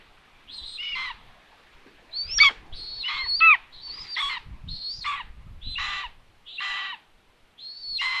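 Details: At a solar-powered nest camera in Tiszalök, Hungary, common buzzards call around a food delivery in June: a run of around ten mewing, descending cries in quick succession, with faint low bumps between them.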